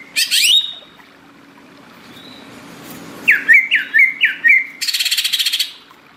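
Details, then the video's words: Greater green leafbird singing: an opening sharp rising sweep and whistle, faint high notes, then four looping slurred whistles in quick series, ending in a fast buzzy rattle lasting nearly a second; steady low hum underneath. "cucak ijo gacor"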